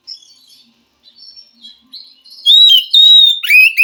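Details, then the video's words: Wild forest white-rumped shama answering a caged bird that will not sing; quiet high whistles at first, then loud clear whistled notes with sliding descending phrases near the end. "Suara Kacer asli hutan mampu merespon Kacer yang malas bunyi Kacer macet"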